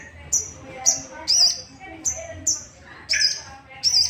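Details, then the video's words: Sooty-headed bulbul song used as a lure to stir other bulbuls to sing, a rapid series of short high notes repeated roughly every half second over a faint low hum. "Pancingan emosi burung sogok ontong"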